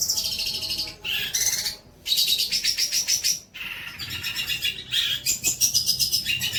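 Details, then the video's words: Long-tailed shrike tutor song for young shrikes: a continuous, varied medley of rapid high trills and whistled phrases, broken by short pauses, with shifting pitch and rattling note series. "INI BARU MATERI MEWAH BOLO BUAT MASTERAN TROTOL KAMU"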